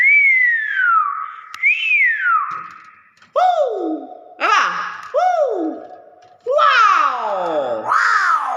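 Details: Hill myna that can talk, saying "wow" over and over: two gliding whistles, then four loud, harsh, falling "wow" syllables, spaced about a second apart, in a quiet room.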